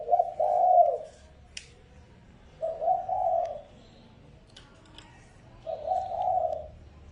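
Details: Spotted dove decoy calling to lure wild doves: three low, soft phrases spaced roughly two and a half seconds apart, each a brief lead note melting into a drawn-out rolling coo, with occasional faint clicks.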